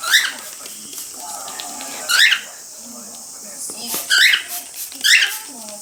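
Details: Male cockatiel, kept as a pet, calling as though supplying sound effects while the female bathes under a spray mister; short rising chirps come in bursts about every two seconds, with a person talking and spray hiss.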